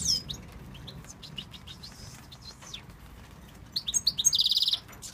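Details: Tunisian European goldfinch, a male urged to call his female, singing a fast, high tinkling run of twittering notes that ends in a quick buzzy trill.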